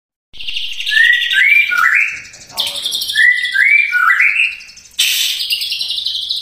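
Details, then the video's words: White-rumped shama in full song, a caged songbird kept to prompt other shamas into singing: loud varied whistled phrases sliding between low and high notes, with harsh buzzy bursts breaking in between. "Murai Batu GACOR Cocok Buat Merangsang Murai Anda Agar Cepat Gacor BUKA PARUH"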